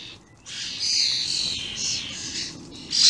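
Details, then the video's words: Very vocal juvenile and adult common starlings recorded on 28/05/16. High, harsh, hissy calls come in a few drawn-out bursts. One louder burst comes near the end over a faint low background. "Vocal juvenile starlings"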